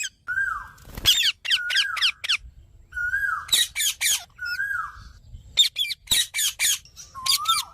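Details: Green parrot mixing harsh rasping screech bursts with clear, drawn-out whistled notes that rise slightly and fall, alternating several times.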